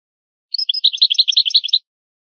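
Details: European goldfinch old-style song from a rare tape: a quick, slightly buzzy twittering phrase of about fifteen closely spaced chirps, pitched high and fairly even, lasting just over a second, in silence otherwise.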